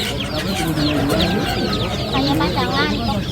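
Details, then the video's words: A group of ducklings keeps up a dense, overlapping stream of thin, high peeps, each rising or falling, with low voices and background music underneath. "Cute Baby Ducks Making Funny Sounds"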